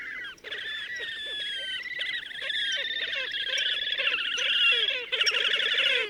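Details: May 2024 at Gavieze, Latvia: wild Slavonian grebe producing a continuous stream of warbling, trilled squeals that grows gradually louder, with lower repeated notes running beneath.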